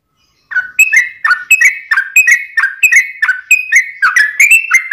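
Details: Yellow-vented bulbul singing a long unbroken song for training and luring birds: after a short silence, quick rich whistled notes that slur down then up, repeated in a lively chattering stream.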